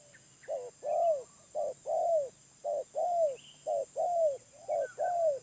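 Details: Spotted dove from the wild, medium-pitched, repeating a brief note then a longer, slightly falling coo, five times at a steady pace, with a faint high bird chirp in between.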